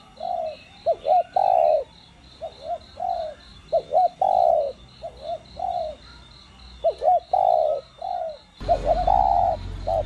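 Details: Spotted dove in the 'đồng' voice with 'gù' and 'thúc' notes, used to rouse captive doves; a run of phrases of short hoots and longer coos repeated steadily, a pulsing insect-like buzz throughout, and a burst of rough noise near the end.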